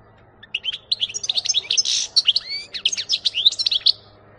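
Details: European goldfinch recorded in 2018, delivering a fast, unbroken twittering song of bright high chirps, trills and short rising slurs for about three and a half seconds, with a faint low hum underneath.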